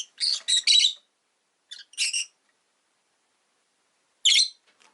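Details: Caged rosy-faced lovebirds, five kept together beside a window, give a run of shrill, harsh chirps: three quick bursts, a pause, two more near the two-second mark, then a final loud chirp after a silent gap.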